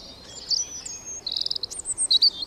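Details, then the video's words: Bird giving varied high calls: thin drawn-out whistles, then a fast series of short bright chirps speeding up toward the end. "একটি পাখি কতো রকমের আওয়াজ করে,Birds sounds"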